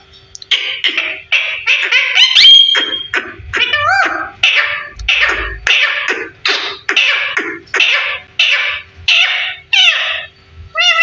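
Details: A 15-year-old parrot talking at home: a fast run of about twenty short harmonic, speech-like syllables, roughly two per second, with one high clear whistle near the start.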